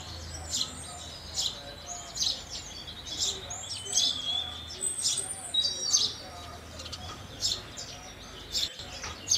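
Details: House sparrows chirping in a busy chorus, short bright chirps overlapping irregularly from several birds, with a faint low hum underneath.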